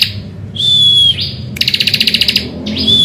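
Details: Bar-winged prinia singing in the morning, a recording used to lure other birds into song: a broad buzzy note with a thin high whistle, then a fast pulsed trill of about a dozen beats, then another buzz and whistle.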